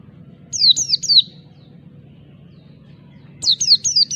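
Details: Oriental white-eye in 'ngalas' (wild-type) song, meant to seek out and provoke rivals: two bursts of three high, thin, sharply descending whistled notes, one near the start and one near the end, separated by a pause, over a faint low hum.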